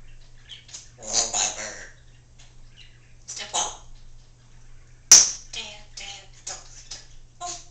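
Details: Pet female Congo African grey parrot speaking human words indoors, a bird whose repertoire includes give me a kiss and dance dance dance; clear voice-like bursts, a loud snap midway, then quick chirpy syllables.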